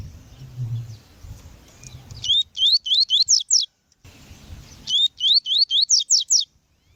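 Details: Double-collared seedeater female calling for training and warming up males: two bursts, each of about seven rapid upward-slurred whistles, separated by a short silence.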